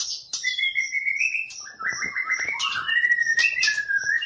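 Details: Champion competition white-rumped shama singing 'tembakan' bursts: loud, continuous song of long rising and falling whistled phrases mixed with high thin notes and quick clicky accents.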